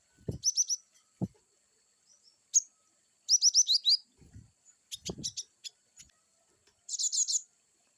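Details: Varied wucit song of a cinereous tit: repeated clusters of quick, piercing, downward-sweeping whistles, some bursts longer and denser, with low knocking sounds scattered between phrases.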